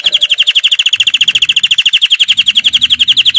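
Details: Canary song played for training, a fast trill of rapid high notes repeated about three times per second, steady and strident, running throughout.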